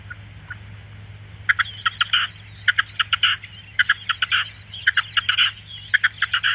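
Red-legged Partridge giving harsh, rhythmic chuffing phrases in quick stuttering bursts, repeated about once a second, over a faint low hum.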